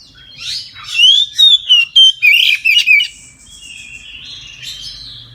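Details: Midday 'ngeplong' full song of an Oriental magpie-robin, meant to encourage other birds to sing: soft twittering that breaks into a burst of six loud rapid whistled notes, then a quieter buzzy, trailing phrase.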